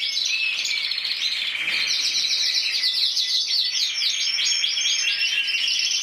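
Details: Intense yellow canary that won the 2014 Spanish championship with 94 points, starting with a thin whistled line and then bursting into fast, loud repeated trills that sweep up and down.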